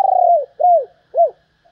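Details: Female spotted dove cooing to stimulate males, giving a long level coo that drops at its end, then two shorter arched coos, each falling away, in a quiet setting.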